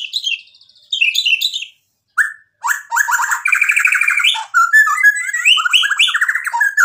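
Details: White-rumped shama in full song with mimicked phrases, a caged singing bird; varied whistles and buzzy trills, a bright whistle then dense rapid chattering phrases after short pauses.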